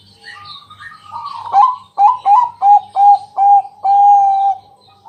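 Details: {'caption': 'Bangkok-type zebra dove singing a night-time lure song meant to draw other doves into song. A soft warble leads into six loud, clipped coo notes about a third of a second apart, ending in one long held note. A low steady hum runs underneath.'}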